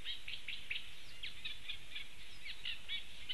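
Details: Eurasian Reed Warbler singing in Latvia on 4 June 2015, a fast, chattering run of scratchy, repeated notes, several per second, over a steady low background rumble.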